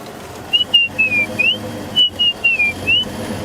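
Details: A male White-browed Scrub Robin sits close to the road on a sunset drive at Djuma and Arathusa in African bushveld. He sings to advertise his territory, attract females and frighten rivals: clear, high whistled phrases about every 1.5 seconds over a faint low rumble.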